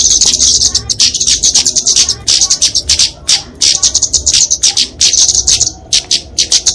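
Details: Flowerpecker fighting song for tutoring and luring songbirds: rapid, high-pitched ticking trills in bursts of about a second, separated by short gaps, repeated steadily.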